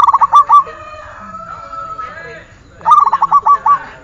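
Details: Perkutut, the zebra dove, in a training recording: two bursts of rapid purring coos, each a stuttering series of short notes, separated by a long whistled tone and faint low murmuring.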